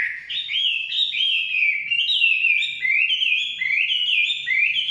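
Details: Forest hwamei in full song, a continuous stream of clear rising whistles and slurred notes, phrases changing rapidly and running together.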